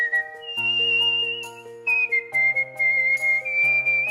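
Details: A cockatiel whistles Let It Go in long, sustained, pure notes, stepping from one held pitch to a slightly lower one, over loud accompanying music.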